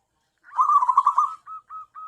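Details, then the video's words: Zebra dove, a tame local bird used as a lure for wild doves, makes one rich rolling trill and then three short, evenly spaced soft coos. "BURUNG PERKUTUT AMPUH UNTUK PIKAT (PERKUTUT)"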